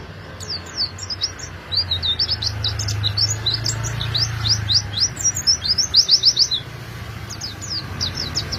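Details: Lure song of the Oriental white-eye for drawing in wild birds, a long, busy stream of sharp, high descending chirps that speeds up in the middle, with a low rumbling hum underneath.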